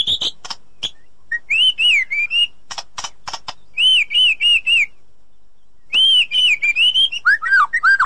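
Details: White-rumped shama song for rousing a quiet bird: clicky notes and arched whistles in small groups of three or four, with a pause in the middle, ending in lower swooping whistles.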